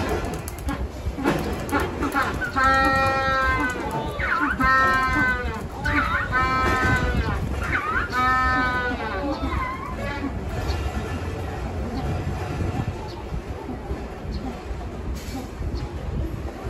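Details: Penguins at Suma Aqua Life Park bray together in a chorus of loud, harmonic, donkey-like calls that rise and fall over a murmuring crowd.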